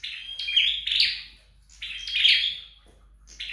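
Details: A flowerpecker practising its song at home gives high twittering phrases with a thin steady whistle woven through buzzy chatter, two main phrases separated by a pause.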